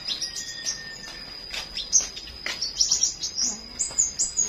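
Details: Morning flowerpecker song: sharp, high, tinkling chirps in quick irregular bursts, some notes sliding downward, with a constant thin high tone running underneath.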